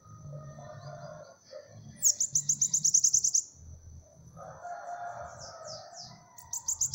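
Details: Bananaquit, called 'cego de cara', delivering a fast, very high sizzling trill of about ten pulsed notes lasting just over a second, then high descending slurs and a second trill starting; lower crowing fowl and low rumble in the background.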